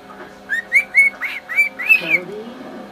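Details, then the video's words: Male pet bird whistling to his mate to show off: about six short upslurred whistles in quick succession, then a lower, wavering rising note to close. "Silly bird whistle"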